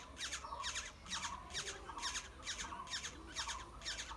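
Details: Begging Black-hooded oriole nestlings during feeding, short harsh scratchy squawks delivered in regular bursts about every half second, loud and insistent.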